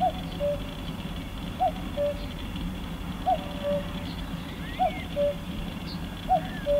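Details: Common cuckoo, a Red List species, calling at Croft Castle, Herefordshire: clear two-note cu-coo, a higher short note dropping to a longer lower one, repeated about every one and a half seconds, with faint bird chirps and low background rumble.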